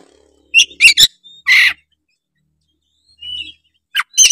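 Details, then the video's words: Gacor Oriental magpie-robin song meant to set other magpie-robins singing: a run of sharp clipped notes and a buzzy harsh burst, then a soft whistle and more sharp chips after a pause. "ampuh buat pancingan kacer langsung gacor denger suara kacer gacor satu ini"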